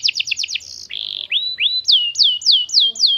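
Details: Young canary (kenari paud) singing a lure song meant to prompt other canaries to answer: a quick burst of buzzy downslurred notes, a level whistled tone, then a row of clear swooping whistles repeated about every third of a second.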